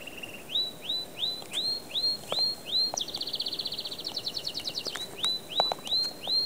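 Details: Cobalt canary singing: a series of clear whistled notes rising then falling, about two per second, breaking into a fast high trill of rapid repeated notes before returning to the whistled phrases; occasional clicks in background.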